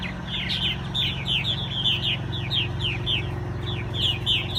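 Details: Purple martins at a nesting colony by Governor Bond Lake, giving a quick series of high, descending chirps and warbling notes, many overlapping, over a steady low engine-like hum.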